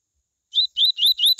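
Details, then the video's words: Coleiro song of the "tui tui" type, meant to get other coleiros singing: three or four clear whistled upslurred notes in quick succession, ending on a sharper, higher note. "COLEIRO tui tui A MELHOR CAMPEADA para ESQUENTAR COLEIROS"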